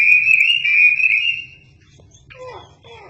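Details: Chinese hwamei, used to train magpie-robins, holding one long steady high whistle for about a second and a half, followed by faint lower sliding notes.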